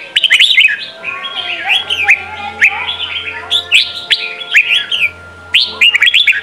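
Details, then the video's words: Red-whiskered bulbul singing in the Sông kon style, used as a training song for young birds: bright warbled phrases of quick rising and falling chirps, bursts separated by short pauses, with a steady faint hum underneath. "Chào mào hót: 35 phút Luyện giọng Sông kon mỗi ngày! เสียงฝึกลูกนก | นกปรอดหัวโขน"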